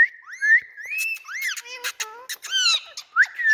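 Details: Indian rose-ringed parakeets, talking parrots, giving loud, varied whistled and squawky calls, rising and falling slurred notes mixed with harsh chattering bursts in quick succession.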